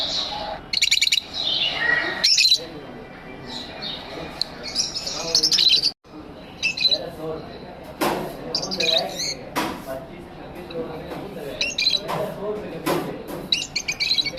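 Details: Pet lovebirds in an aviary sing and chirp in repeated high, scratchy bursts and rattling runs, with a brief gap midway and scattered clicks.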